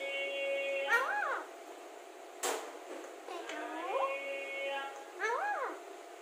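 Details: Alexandrine parakeet, a talking parrot praised for speaking clearly, repeats soft word-like arched harmonic phrases about four times, each rising and falling, with a sharp click in between, indoors.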